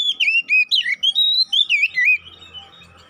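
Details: Oriental magpie-robin, kacer poci type, lure song meant to make a kept bird aggressive and eager to sing: fast chains of slurred, looping whistles for two seconds, then fading to a faint low hum.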